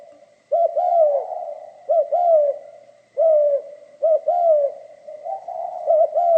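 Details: Spotted dove song in the 'giọng pha kim' voice style: low, mellow coos in repeated phrases, each a quick double note followed by a longer descending coo, roughly every one and a half seconds, with a faint steady high hum behind.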